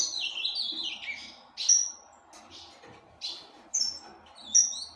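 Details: Captive azulão, or ultramarine grosbeak, from a breeder's aviary: the end of a warbled descending phrase, then a series of separate short, bright, high notes spaced about half a second to a second apart.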